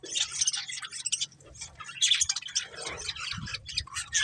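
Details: Caged breeding pair of budgerigars giving rapid, raspy chatter and sharp squawky chirps, almost continuous over a few seconds, with a soft low hum in the room.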